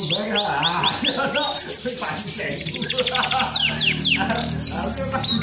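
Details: Domestic canary in full song as tutor material for training: fast series of high sweeping whistles, some rising then falling, in rolling bursts, with faint background voices and low hum.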